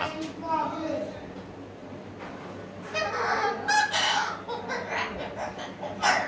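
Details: An umbrella cockatoo lets out harsh, raspy squawks in short bursts, loudest in a run near the middle, mixed with chatter that sounds like speech.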